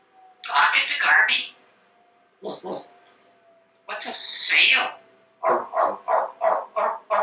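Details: Male African Grey Parrot kept indoors at a Texas home, hatched in 1997, chattering in an office: two bursts of speech-like phrases, a loud harsh syllable, then a rapid run of six or seven clipped beep-like repeats.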